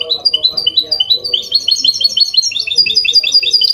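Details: Goldfinch mule in clean copia Málaga-style song, used to stimulate males to sing and teach young birds: a dense, continuous run of quick high chirps and twittered notes, steady and energetic throughout.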